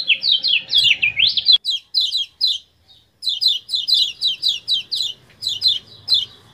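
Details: Common iora from Lombok, recorded as training audio meant to stir up captive birds: fast slurred whistled notes, then an abrupt cut and a brief silence, followed by crisp, sharply descending 'ciak' chirps repeated roughly twice per second.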